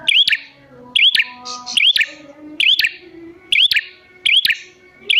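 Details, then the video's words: Lure recording of a red prinia calling to draw wild prinias into reply: paired high, bent chirps with clicks, repeated about every second, with faint lower whistled tones underneath. "Pancingan Prenjak Gacor Jamin Prenjak Malas Bunyi Langsung Nyahut"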